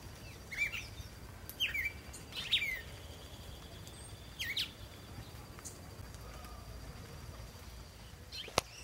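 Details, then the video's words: Cardinal in the crown of a backyard tree giving sharp, downward-slurred whistled notes at irregular intervals of one to two seconds, with a few fainter notes and low background noise. "Cardeal cantando na cópa da arvore"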